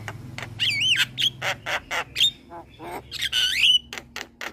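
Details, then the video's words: Young male Javan myna, captive and singing vigorously with head-bobbing. Dense mix of rasping squawks and looping whistles that rise and fall, several notes each second, with a low hum underneath. "Jalak Kebo Jantan Muda Rajin Bunyi"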